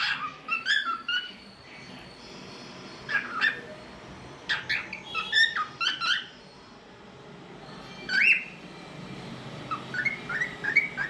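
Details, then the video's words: Talkative pet cockatiel making different sounds indoors: clusters of short chirps, squeaks and harsh squawks in bursts separated by quieter gaps, closing with a few brief whistled notes in a small room. "Talkative Bird 🐦 Singing n Making Different Sounds"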